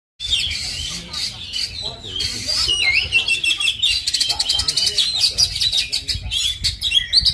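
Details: Oriental magpie-robin (kacer), Indonesia: a loud, continuous, varied song of rapid whistles, sharp chirps and buzzy trills, mostly high-pitched, with quick rising and falling notes. A faint low background hum runs throughout.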